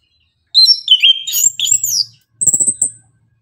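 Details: Morning song of an orange-headed thrush: a fast rush of clear, warbled whistles jumping up and down in pitch, a short pause, then a sustained high thin whistle over a few soft low knocks.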